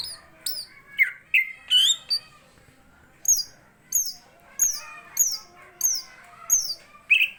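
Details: Greater green leafbird in fighting form gives loud, sharp high-pitched squeaky notes in pairs, repeated roughly every second, mixed with softer chattering and brief whistled phrases.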